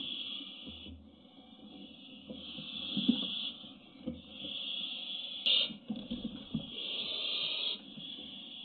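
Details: Hungry Barn owl chicks at a nest webcam on 1 July 2017 beg with long, rasping hisses, each lasting one to two seconds with short breaks, overlapping almost continuously; low rustling and thumps underneath.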